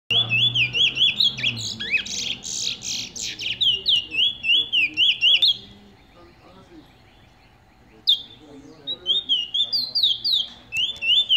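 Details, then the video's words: Old adult male Eurasian bullfinch, a kept bird, sings soft, piping whistles that rise and fall in quick runs, mixed with creaky notes. It pauses for a couple of seconds, then resumes. "Old Male Bullfinch song"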